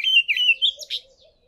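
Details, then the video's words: An Olive Thrush singing from a tall tree gives one brief phrase of clear, fluty whistles that waver in pitch, ending in a slightly higher, rougher note; no other sounds. "OLIVE THRUSH singing"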